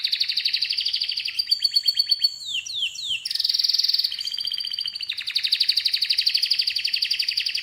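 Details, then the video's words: Singing canary producing continuous fast, buzzy trills broken by a few descending slurred notes and a brief sharper roll. A long rapid rattling trill follows. "Canary's voice A very beautiful canary's chirping canary's voice"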